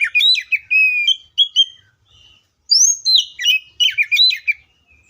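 Oriental magpie-robin singing two quick bursts of varied, sweet whistles and slurred notes, high and rich, with a short pause between phrases and no other sounds.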